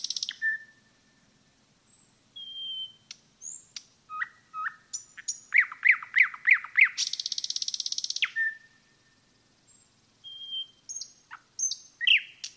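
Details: Common nightingale singing in a forest, several phrases in a row: whistles, clicks, a run of five ringing repeated notes, a long buzzing rattle, then quieter whistles and sharp notes after a pause.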